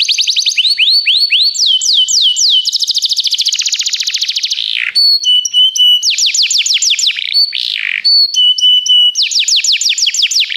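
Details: Training song of a canary: varied tours of rising whistles, a rapid buzzing trill, clear held high notes and repeated swooping slurs, delivered loudly and without pause.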